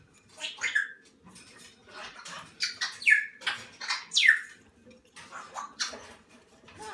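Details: Salmon-crested cockatoo chicks, under one month old, being fed by hand indoors; harsh, rasping squawks and short buzzy chirps in uneven bursts about once a second, with a soft hiss between calls.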